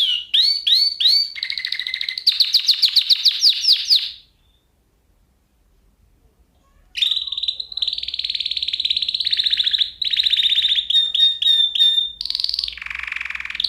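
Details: Canary training song meant as a lesson for other canaries, not nightingale-style: rapid rolling trills and repeated sweeping notes, a silent gap, then long sustained buzzy trills ending in a lower rough rattle.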